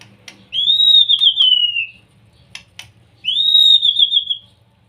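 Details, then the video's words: Young white-rumped shama singing a provoking song meant to stir other shamas into song: two long, clear whistles, each falling slightly with a wavering end, separated by a pause with a few sharp clicks. "PANCINGAN murai batu muda 100% AMPUH,bikin murai malas bunyi langsung naik emosi"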